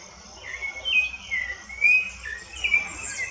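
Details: Short bout of Rufous-bellied thrush song in the woods: mellow whistled notes gliding up and down in quick succession, over a faint hum and some high chirps from other birds.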